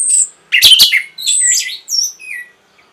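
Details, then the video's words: Song of an orange-headed thrush, used to stimulate breeding readiness and get other birds to answer: a thin high whistle, a burst of harsh scratchy notes, then smooth gliding whistled phrases fading out. "NYANYIAN BURUNG PUNGLOR PEMBANGKIT BIRAHI"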